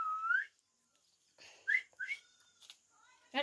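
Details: Pet parrot talking with children indoors; a clear rising whistled note opens, followed after a pause by short upward-sliding whistles and a brief squeak, in a quiet small room with human voices nearby.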